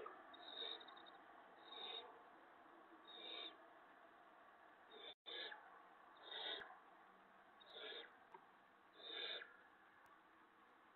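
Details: Barn owl owlet at the nest at 5:01 AM on 6 April 2017, as an adult brings a vole that the owlet eats backwards; harsh, breathy hissing screeches, each about half a second, repeated roughly every second and a half over steady background hiss.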